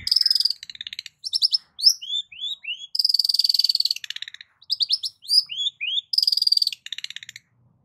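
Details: Long-tailed shrike performing a varied lure song with mimicry-like variety: buzzy trills, rising whistled slurs and sustained rattling notes alternating in quick succession.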